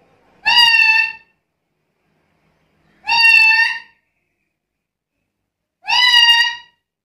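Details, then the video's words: Black-capped lory in chatty voice produces three loud nasal calls with a short upward inflection, each under a second, repeated roughly every two and a half seconds, nothing else audible. "Suara burung nuri kepala hitam gacor isian komplit"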